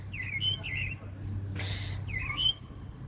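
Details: Common starling giving short chirpy notes, a harsh rasping burst midway, then more chirps, over a steady low hum.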